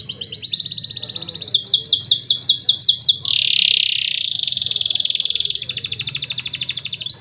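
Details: Crested canary (kenari jambul) singing loper style, cengkok gurih: a high rattle, then a run of clipped repeated notes, a dense lower buzzing roll, and a fast even trill ending in an upward sweep. Low hum behind.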